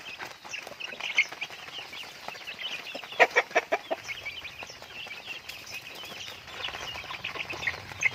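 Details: Pet chickens kept and raised at home, a flock giving soft clucks and high chirps, with a brief cluster of louder sharp notes near the middle over a steady background hiss.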